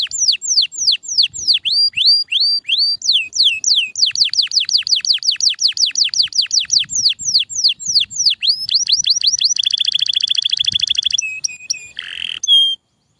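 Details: A canary delivers a long, varied melody: repeated downward-sweeping whistles that quicken into a dense rolling trill, followed by a steady buzzy high trill and a few short closing notes before silence.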